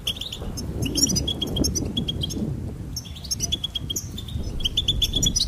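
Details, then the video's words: Goldfinch twittering in quick bursts of bright, tinkling chirps and trills, set against steady low background noise throughout. "Goldfinch Singing and Song Compilation"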